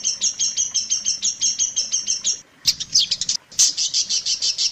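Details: Long-tailed shrike master song for teaching other shrikes: a regular run of paired high chirps, a short pause, then louder scratchy bursts and rapid harsh notes.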